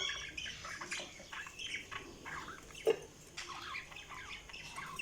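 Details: Budgies chattering with rapid, scratchy squawks and short warbled notes, repeated almost continuously with brief pauses, plus one sharp click partway through.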